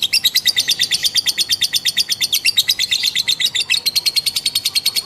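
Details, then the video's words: Female lovebird in a long ngekek performance, a fast chattering run of piercing high notes repeated in close succession, the pulses slightly slowing and swelling near the middle, recorded close with a quiet background. "lovebird betina ngekek panjang"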